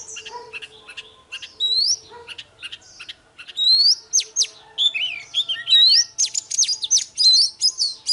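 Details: Morning combat song of an oriental magpie-robin, meant to stir other birds into singing: softer scattered notes at first, then dense runs of bright whistles, upward slurs and rapid buzzy trills that build toward the end.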